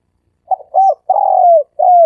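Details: Three-coo dove call used as a lure: short stuttered coos, a long drawn falling coo, and a final shorter falling coo, clear and mellow in a quiet setting.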